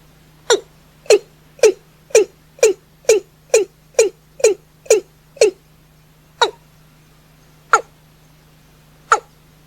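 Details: Accelerated series from a watercock at night: ten rhythmic hollow knocks about two per second, then three slower spaced notes, over a steady low background hum.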